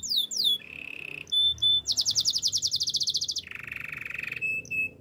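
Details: Male canary song with falling swept notes, a low steady roll, a few short pips, a loud high pulsed trill, then a lower buzzy rattle and closing pips.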